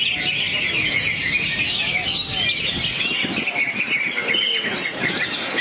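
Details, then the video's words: Crouched greater green leafbird delivering its song repertoire: a busy chatter of sharp chirps and fast whistled notes with a brief buzzy burst, over low background rumble. "Cucak Hijau Luke H. Yogi buang materi sambil teler"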